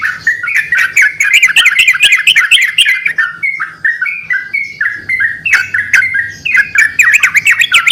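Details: Yellow-vented bulbuls calling back and forth in a lure recording: rapid tumbling bubbly phrases, a calmer run of separate whistled notes in the middle, then another burst of excited chatter; faint low hum throughout.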